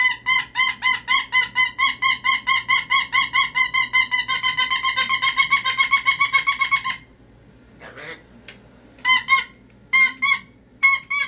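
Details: Meltdown of a pet cockatoo: a rapid, unbroken stream of harsh screams at roughly four per second for seven seconds, a short pause with a soft sound, then more loud screeches in twos.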